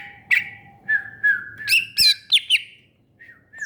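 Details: Greater green leafbird pouring out a rapid, varied medley of whistles and sharp chirps with a click-like note in the middle, above a faint low whistle.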